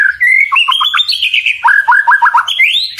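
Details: Short white-rumped shama (murai batu) phrase, sung to draw a reply from rivals: a clear rising whistle, a quick stuttered series, a high held note, then a fast run of repeated falling notes.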